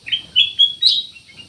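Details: Short, clear black-naped oriole phrase of three or four quick slurred notes that step upward.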